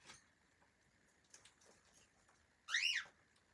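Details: A pet cockatiel, one of a family of friendly cockatiels, gives a single loud, harmonic-rich call that rises sharply then falls, lasting about a third of a second. Before it come soft scattered clicks and rustling against a quiet background.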